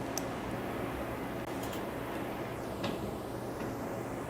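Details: Steady low rumble like an idling vehicle fills the recording, with a few faint clicks and taps and no animal voice.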